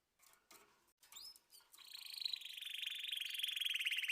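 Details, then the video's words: Canary song beginning among scattered rustling and faint notes. It builds into a loud, fast, continuous rolling trill that grows steadily louder to the end. "طيور كناري تغريد"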